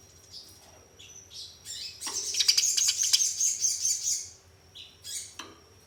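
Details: Fighting Eurasian tree sparrows: a few thin chirps, then two seconds of intense, rapid, buzzy chattering, then scattered chirps again; played to make caged sparrows sing.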